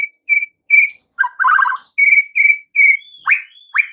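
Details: Afternoon lure song of a white-rumped shama, played so juvenile birds reply: steady pure whistled notes repeated about twice a second, a short rattling burst, then sharp down-slurred whistles with thin high overtones.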